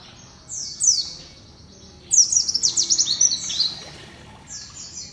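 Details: White-eye, the small Indonesian songbird called pleci or kacamata for its eye-ring, giving high, thin, tinkling song: quick descending notes, then a rapid burst of sharp repeated chips, over a soft background.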